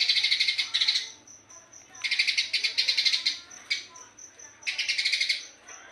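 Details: Eurasian tree sparrow singing rapidly in dense bursts: chirpy, rattling phrases of rapid repeated notes, each lasting about a second, separated by short pauses with thin high tones between.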